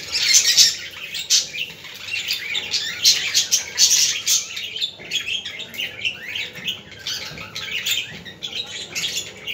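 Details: Budgerigar sounds meant to stimulate budgies: continuous busy chirping and warbling from several birds, rapid pulsing notes overlapping throughout with frequent louder bursts.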